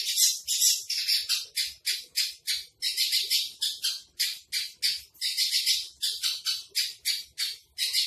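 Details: Javan bush lark trotol song: about twenty-five rasping high notes delivered rapidly in a steady, almost unbroken series with short gaps.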